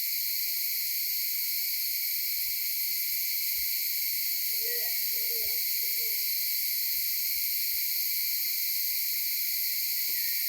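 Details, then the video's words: Maleo filmed with a mobile phone on Sarva Island, Kampung Ugar; a short run of three low hooting notes close together, over a steady high insect hiss. "Burung Maleo tertangkap camera HP"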